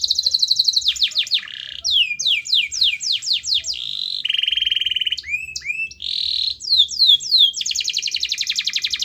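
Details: Active canary song used to stimulate a reluctant bird to sing: runs of sharp descending whistles, a steady buzzy roll, looping slurs and a closing fast trill, all high and continuous.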